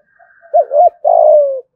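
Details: Spotted dove in Dong Nai, Vietnam, in 'thúc gù' style with 'thổ' voice: two quick wavering notes followed by a long, steady, slightly falling coo, soft and low-pitched.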